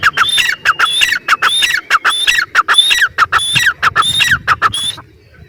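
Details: Grey francolin calling loudly. Paired shrill rising whistles with harsh falling tails repeat about twice a second, then fade to quiet at the end.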